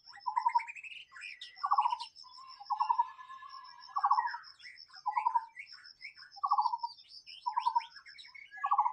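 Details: White-rumped shama in the wild, with lower buzzy, falling whistled notes repeated about once a second. Varied higher slurs and trills sit between them, over a thin steady high tone.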